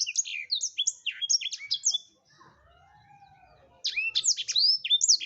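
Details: Black-throated canary song: fast, varied high chirps and downslurs, a pause with a faint low arching tone, then more loud, sweeping whistled twitters.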